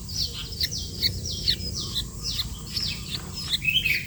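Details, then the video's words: Calling sooty-headed bulbul: a quick string of high, downslurred chirps ends in a cluster of twittering notes. A faint low hum runs throughout. "burung kutilang gacor"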